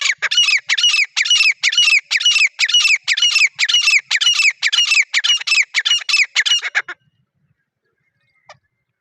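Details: Partridge calling in the wild in a jungle, natural unedited sound: loud, harsh, grating notes repeated about twice a second in a steady series for some seven seconds. The series stops abruptly, followed by one faint click.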